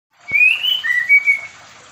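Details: White-rumped shama of the Medan type in a mini aviary during pairing, giving a clear whistled phrase: a sliding high note followed by two shorter level whistles, with a single click at the start.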